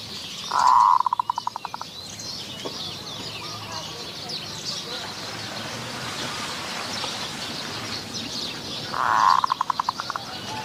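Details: Decoy luring of wild Zebra doves, Wapi Pathum, Maha Sarakham, Thailand: two phrases about eight seconds apart, each a rough rolling coo trailing into fast staccato beats. In between there is only a steady rural hum and insect noise.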